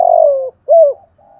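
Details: Spotted dove coo used to provoke wild doves, in 'giọng thổ' voice: the tail of a long falling coo, a clear arched hoot, then a faint soft note.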